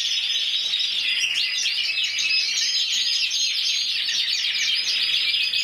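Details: Competition canary, intense yellow, champion of Spain 2014, pouring out a bright, fast-rolling trill with varied chirped phrases, continuous and high.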